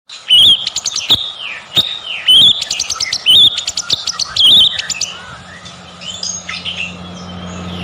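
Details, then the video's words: White-rumped shama song used as a lure to make other shamas sing: loud bursts of rapid, sharp high chirps and whistled trills, repeated in short phrases about every second, with a steady low hum underneath. "PANCINGAN MURAI BATU,SUPER GACOR"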